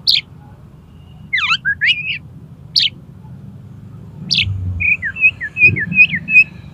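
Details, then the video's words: Oriental magpie-robin song intended for training contest birds: swooping slurred phrases, sharp isolated high notes, then a quick series of repeated short whistles about three per second, with low thuds near the end. "SUARA KACER"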